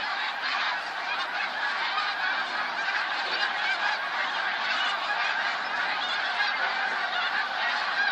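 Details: Eight seconds of a huge snow goose flock dated 28 February 2013, countless nasal honks merging into one loud, even roar with constant texture throughout.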